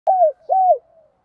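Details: Spotted dove used as a decoy, cooing in the morning to lure wild doves: two mid-pitched coo notes, each slightly falling, separated by a short gap, with nothing else audible.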